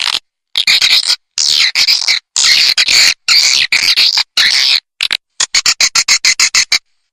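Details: Swiftlets' calling lure for swiftlet farming: loud high buzzy chirping twitters in abrupt bursts separated by silent gaps, closing with a rapid series of about a dozen short sharp chips.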